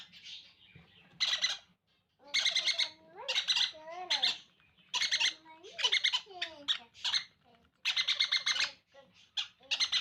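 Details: Conure chicks begging during hand feeding, with rapid pulsed harsh squawks in repeated bursts and wavering tonal whines between them.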